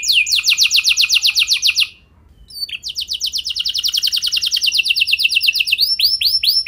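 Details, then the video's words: Canary singing to prompt other canaries: a fast high trill, a brief silent break, then a long buzzy rolling trill ending in arched repeated notes. "Langsung Nyaut Gacor Dor Kenari Mana Saja Dengan Pancingan Kenari Lagu Mewah Ini"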